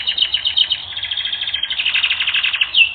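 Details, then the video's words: Canary singing in a training recording: a continuous run of fast trills and chattering notes, pulsing several times a second, with a sweeping whistled note near the end. "Canary Training Recording - 1 Hour"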